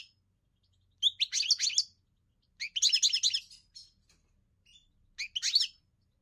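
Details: European goldfinch singing: three bright bursts of rapid, tinkling, twittering notes about a second long each, separated by short pauses with a few isolated chirps in a quiet setting.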